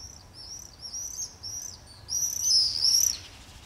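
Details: Common swifts in a screaming party along a street in Beek Ubbergen, Netherlands, 22 July 2012, nesting pairs joined by others; a string of shrill high screams, several birds overlapping, swelling louder after two seconds.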